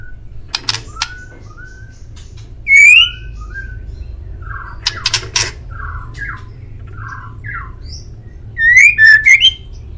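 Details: White-rumped shama master song for making pet birds respond: clear rising whistles and lower slurred notes mixed with sharp, harsh bursts, closing in a rapid, bright whistled flourish.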